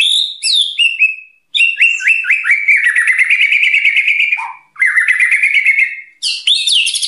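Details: White-rumped shama singing actively, its bursts said to provoke other birds: loud, varied whistled phrases, clear notes sliding down from high to middle pitch, then fast rolling strings of slurred whistles, broken by two short pauses.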